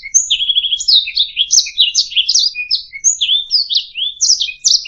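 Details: Singing canary used as a training recording for teaching songbirds. It opens with a quick rattling trill, then runs into bright, rapid, high twittering and slurred whistles with brief high pure notes woven in, steady and loud throughout.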